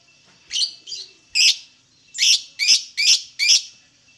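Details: Lovebird song played to prompt other lovebirds to sing: sharp high chirps, two at first, then a burst of five repeated roughly every half second.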